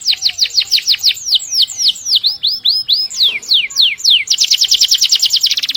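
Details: Canary singing a long roll used to tutor canaries and other birds: steady runs of swooping downslurred whistles, a few curving notes, ending in a rapid high trill.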